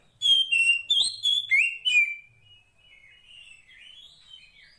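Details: Female 'poci' Oriental magpie-robin in the wild calling a male: a quick run of six loud, clear whistles sliding up and down, fading into soft, thin warbled notes.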